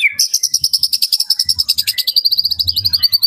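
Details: White-rumped shama song used to stir up other shamas: a steady, rapid trill of sharp high repeated notes, about three or four per second, slightly slowing and dropping in loudness toward the end, with faint low knocks in the background.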